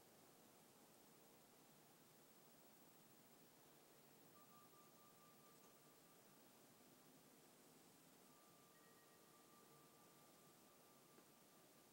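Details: Only a very quiet, steady hiss is heard, with a faint constant hum and no animal calls.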